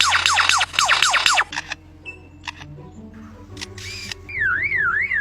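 Superb lyrebird mimicking: quick falling whistles, then clicks like a camera shutter and a wavering car-alarm siren. Music plays underneath.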